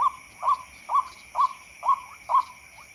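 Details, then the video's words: White-breasted waterhen lure call for night bird hunting, even in bright moonlight: six clipped rising notes evenly spaced about half a second apart, some ending in a short upward flick, faint background hum. "SUARA PIKAT RUAK RUAK PALING AMPUH TERBUKTI JITU"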